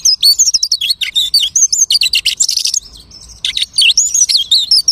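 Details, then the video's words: A lark mimicking other birds' songs, pouring out fast high-pitched twittering with wavy whistled notes, short buzzy bursts and sharp chirps, broken by a brief pause in the middle. "The lark imitates the singing of hundreds of birds."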